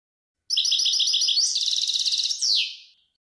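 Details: European goldfinch, possibly a goldfinch mule hybrid, singing: a rapid series of bright buzzy notes, then a dense twittering trill and a final downslurred buzzy phrase, all high-pitched, about two and a half seconds long.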